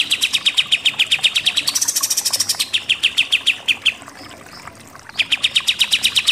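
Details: Pied triller singing in the rapid 'nembak-nembak' style: fast runs of sharp, evenly repeated notes, rising briefly into a higher buzzy stretch, a short pause, then the quick repeated notes resume.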